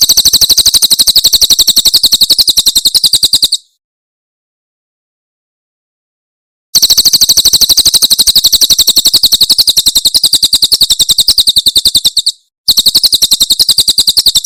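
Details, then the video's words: Tembakan Cililin (Javan prinia) tutor song for cage birds: long bursts of rapid, evenly repeated high ticking notes, broken by abrupt silent gaps, with no other sounds. "Masteran Tembakan Cililin SUARA SUPER JERNIH"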